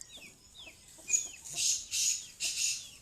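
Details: Kali madi, a female black francolin, calling with three harsh, breathy high notes about half a second apart, following a couple of soft descending whistles.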